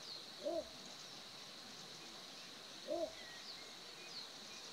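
A little bittern gives short, deep, gruff barks, one roughly every two and a half seconds, over a steady high insect hiss.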